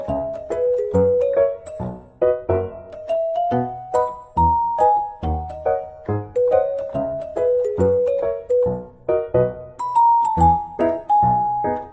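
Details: A simple melody of bell-like keyboard notes plays throughout, with no animal calls heard.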